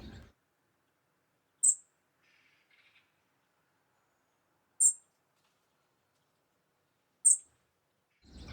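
A European robin gives three sharp, high ticks, each about three seconds apart, with a faint murmur of voices at the start and end.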